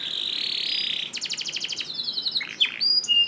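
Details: Canary song meant to get reluctant canaries singing: a long harsh buzzing roll, then a rapid pulsed trill, finishing with scattered high whistles and short sliding notes.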